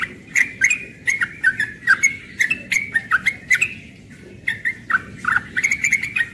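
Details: Rapid ropel singing from a young yellow-vented bulbul at morning, lively liquid chirps tumbling out in fast strings with one brief pause midway.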